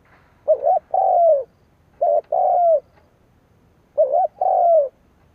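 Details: Kept spotted dove decoy cooing to stir up rival doves: three phrases under two seconds apart, each a quick warbled note leading into a drawn-out, slightly descending mellow coo, in a quiet setting.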